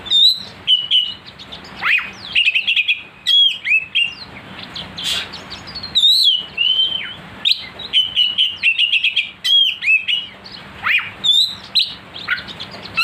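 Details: Oriental magpie-robin singing continuously as a lure to make a kacer aggressive: a long, varied stream of sweeping whistles, looping slurs and quick chattering trills with only brief pauses.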